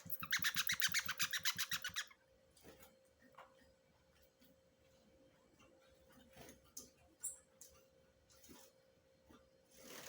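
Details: Double-collared seedeater chick, a kept young bird, giving a rapid harsh buzzy series of about eight notes per two seconds, then quieter scattered ticks and small sounds from the room with a steady faint hum.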